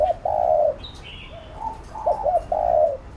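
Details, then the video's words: Spotted dove coaxing coo for decoy training: a long mellow coo, softer murmured notes, then two quick hooked notes and another long coo, with a faint high bird chirp. "Cu Gáy THÚC GÙ Siết Bổi Đẳng Cấp/ Kích Mồi Tập Bổi Căng Đét"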